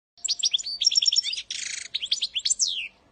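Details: Goldfinch singing a training song meant for teaching young birds: a rapid, continuous run of twittering, liquid notes and short trills, ending in a long descending slurred whistle, on a quiet background.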